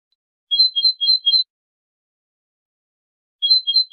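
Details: European goldfinch, whose song defends territory and attracts females: two short bursts of clear, whistled notes alternating between two pitches, quick and regular, separated by about two seconds of silence.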